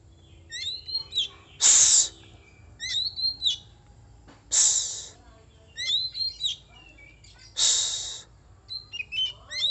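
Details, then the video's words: Oriental magpie-robin singing: bright whistled notes, some rising and some falling, mixed with three loud harsh rasping bursts spaced about three seconds apart. "burung kacer"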